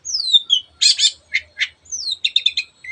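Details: Long-tailed shrike in energetic song meant to rouse other birds: clear whistles that slide downward, loud raspy squawks, then a quick series of buzzy chips and another falling whistle.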